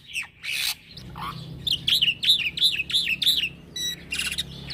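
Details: Rolling song of a young black-winged myna, recorded for training other birds: harsh scratchy notes open, then a fast run of about seven repeated whistled phrases, followed by a buzzy rattle and grating notes.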